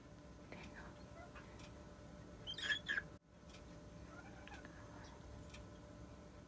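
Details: A rescued Moluccan cockatoo, newly adopted and just settling into its new home, speaks its own name indoors in a brief, throaty, voice-like phrase of about half a second over a steady indoor hum.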